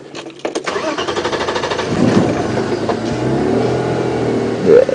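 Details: A safari vehicle's engine starts and revs, then holds a steady rumbling drone during an evening drive, with no animal voice audible.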